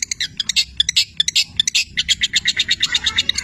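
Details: Cendet (long-tailed shrike) imitating canary and labet in a packed, rattling chatter of fast scratchy high notes that run together almost without gaps.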